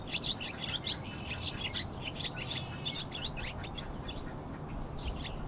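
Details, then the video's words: Barn swallows twitter in quick, high chirps and short squeaky notes that run almost without pause, over a steady low rumble of background noise. "Barn Swallow Vocalization"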